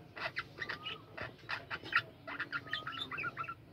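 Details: Several budgerigars calling in a home colony aviary: short harsh chirps and warbling notes in quick succession, interspersed with thin level whistles.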